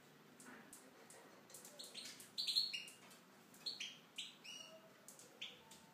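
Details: Aviary-kept Tunisian goldfinch delivering a lively twittering song, quiet at first, then rapid clusters of high chirps and short buzzy trills building toward the middle and continuing in quick bursts.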